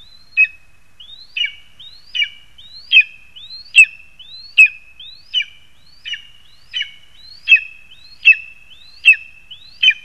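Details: Lesser spotted eagles in a spruce at Zemgale, Latvia, 22 August 2021: a high, thin whistle rising then held level, repeated about every 0.8 seconds in a quiet setting.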